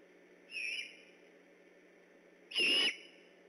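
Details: Great horned owl on alert at night near an eagle nest: a faint short whistled note, then a louder harsh, rasping call about two seconds later, over steady hiss.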